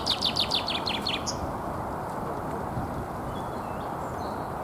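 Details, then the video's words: Common chaffinch in spring song guarding its territory, Alexander Park in Pushkin, Saint Petersburg, Russia, 17 April 2021; about seven quick high repeated notes slide downward into a short ending, then faint distant chirps over low continuous background noise. "Весенняя песня зяблика."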